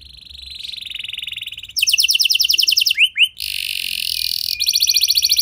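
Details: Canary lure song with a unique melody, meant to set other canaries singing: a soft high trill, then loud rapid rolled notes, two quick swooping whistles, a buzzy steady stretch, and a fresh rapid trill.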